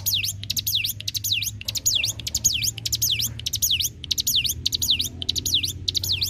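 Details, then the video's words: Ciblek gunung, the hill prinia, singing to tutor magpie-robins, leafbirds and shamas: an unbroken chain of high, sweeping down-up whistles interlaced with dry clicks, roughly two per second. "cigun ngbreeenn‼️masteran yang dicari para kicau‼️"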